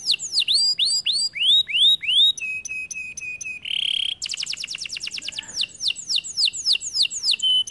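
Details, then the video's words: Varied canary song: slurred whistles, a flat repeated tone, a brief loud buzzy note, a fast rattling trill, then more downslurred whistles. "The canary sings beautifully"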